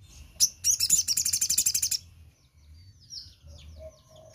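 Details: Crimson sunbird singing in the morning: a high, rapid trill of about fifteen sharp, even notes over a second and a half, then softer, thin twittering phrases over a low background hum.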